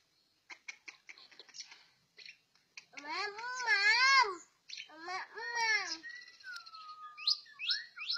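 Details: A captive orange-headed thrush in full, intense song indoors gives a varied outpouring: dry ticking clicks, wavering nasal warbled phrases, a long falling whistle, and quick high chirps.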